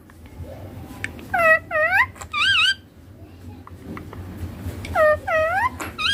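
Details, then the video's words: Baby Indian ringneck parrot saying papa and mummy in Hindi: two runs of three clear, wavering, voice-like syllables, separated by about two seconds of quiet. "Baby ringneck parrot natural sounds papa mummy talking clear hindi"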